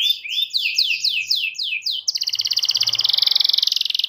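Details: Training song of a domestic canary for young canaries: several drawn-out falling slurred notes, then a fast, even rolling trill lasting about two seconds.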